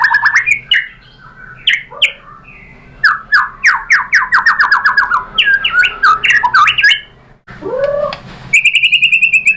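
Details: White-rumped shama lure song meant to provoke a reply from other shamas. A long, varied run of loud whistled and chattering phrases with fast repeated downslurred notes, a brief pause, then a high sustained trill, over a low steady hum.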